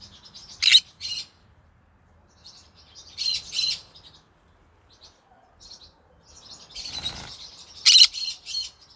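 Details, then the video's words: Evening song of a green-cheeked conure: sharp rasping squawks in pairs with quiet chatter between, and a brief rustle or scrape near the end. "come hear me sing together Green Cheek Conure Parrot Bird"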